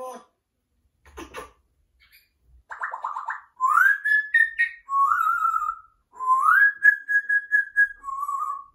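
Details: Pet African grey, a male, singing like opera: after a few short sounds, a rapid trill leads into long rising and sustained whistled notes with slight wavering.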